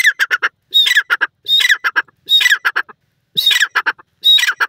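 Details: A francolin pair, male with female, vocalizing together in green natural habitat, giving about five loud phrases. Each phrase is a rising screechy note followed by three or four clipped, grating notes, with short silent gaps between.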